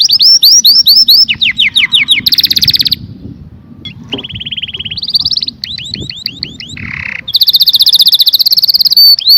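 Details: Canary in loud, varied song: rapid series of upslurred whistles, dense metallic rolling trills, steady buzzy tours on one pitch and very high sharp trills, changing every second or so, over a low rumbling background.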